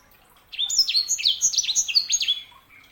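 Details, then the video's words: Short phrase of a canary hybrid (sanger): about two seconds of bright, high chirps alternating between higher and lower pitched swept notes. "KICAUAN SANGER"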